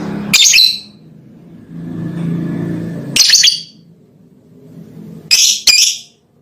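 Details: Lovebird calling a female: harsh, shrill, crackling bursts, one early, one at about three seconds and a double near the end, over a low rumbling hum like a passing vehicle.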